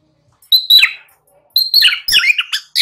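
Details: White-rumped shama song played to coax young birds into singing: sharp high whistles followed by dense, rapid twittering phrases in quick bursts after a short silence.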